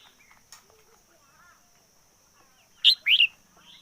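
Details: Red-whiskered bulbul decoy bird singing intensely, 2021: after near-quiet faint chirps, a loud burst of two or three rich, liquid warbled notes near the end, sharply rising and falling, over a steady high hiss.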